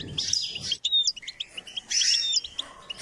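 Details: Short burst of goldfinch song from a bird-training session: bright, liquid twitters and a couple of clear whistled slurs, repeated in two quick phrases.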